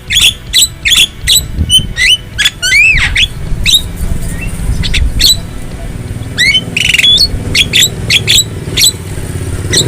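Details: Song of a wild black-winged starling: sharp repeated whistles and buzzy chattering notes in quick bursts, with some wavering curved whistles and harsh squawks over steady low background noise.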